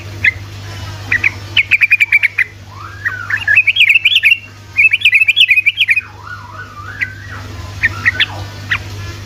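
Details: Sooty-headed bulbul in ropel song meant to make silent bulbuls sing: rapid chirped runs mixed with lower, slurred, rising and falling whistles and a few spaced notes, over a steady low hum.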